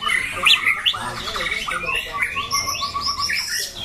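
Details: Competition white-rumped shama, a caged bird with a loud rasping voice, delivers a quick medley of slurred whistles and harsh chattering notes that switch pitch often, with faint background noise.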